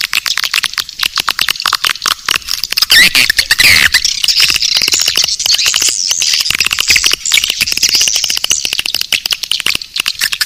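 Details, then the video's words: Swiftlet calling sound of the type named Naga Birahi, used as a lure to attract swiftlets: dense, rapid high-pitched chattering and clicking twitters that run continuously, with many overlapping birds and a short squealing burst near the middle. "Suara panggil burung walet"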